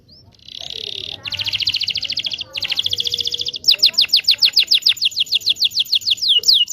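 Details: Canary in long continuous song used to train young canaries: dense buzzy trills around high pitch, then a run of rapid repeated downward-sweeping whistled notes, about three per second, loud and clear.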